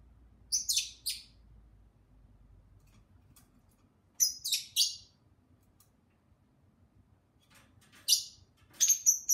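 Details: Two pet lovebirds chirping as their owner speaks to them: clusters of sharp high squeaky chirps at irregular intervals of about four seconds, quiet room behind.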